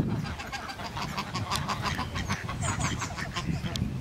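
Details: Two geese squawk together on a rare occasion, giving quick repeated harsh honks in a steady run over a low rumbling background.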